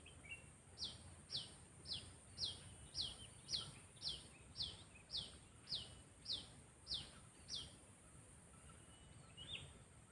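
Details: A sooty-headed bulbul kept for lure training repeats one sharp, downward-sweeping chirp about every half second, twelve times in a regular series, then goes quiet. A steady high hiss sounds throughout.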